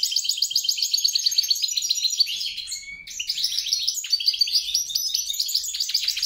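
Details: Hybrid mule of European and grey-crowned goldfinch singing rapid repeated chirping phrases, a short whistled note near three seconds, then a further burst of tinkling trills.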